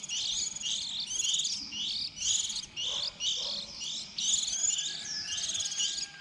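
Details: Young white-eyes, early season 2020, a lure recording for trapping: high thin chirping in bursts of about a second separated by short gaps, roughly one phrase each second.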